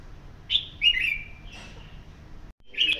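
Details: Pair of three-year-old red-whiskered bulbuls: a few bright whistled notes, one sliding down, with a brief pause and a final short chirpy phrase, over low background hiss.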